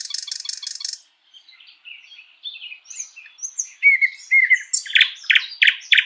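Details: Thrush nightingale in a spring forest opens with a harsh rattling burst, drifts into soft high warbled phrases, then delivers loud repeated chopping notes roughly three per second.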